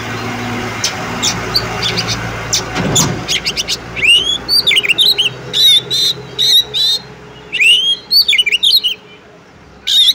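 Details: Female Oriental magpie-robin calling to a male so he sings: after a noisy start, loud bursts of curling whistles, sharp chirps and raspy notes in groups, over a steady background hiss.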